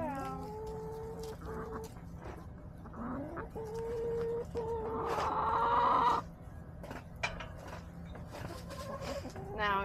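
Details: Backyard hens clucking in repeated short bursts, with a longer, louder drawn-out call rising in the middle and more clucks and sharp knocks around it.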